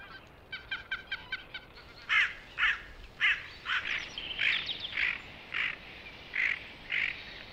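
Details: Canada goose in spring in Belarus, where it is a rare vagrant, among bean geese, greylag geese, mallards, gulls and other waterfowl. Quick, quieter notes open, then loud, honking calls follow at roughly half-second intervals over a background murmur of birds.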